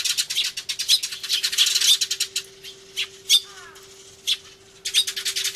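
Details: Sparrows crying loudly in a commotion, recorded 24 March 2013 on an Everio camcorder near a turtledove: dense bursts of rapid, harsh high chirps, a quieter gap in the middle with a few isolated calls, then renewed chattering over a steady low hum.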